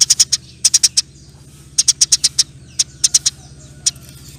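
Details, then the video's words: Eurasian tree sparrow giving spaced clusters of three to five crisp, dry chip notes in quick succession, looser than a full rattle, over a constant low droning hum. "NYERECETTT PANJANG, KICAU BURUNG GEREJA GACOR"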